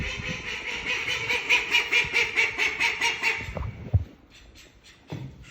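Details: Rhythmic nasal quacking from a female call duck at a school in Saitama, Japan, roughly two to three calls a second for several seconds, followed by quieter knocks and handling noises.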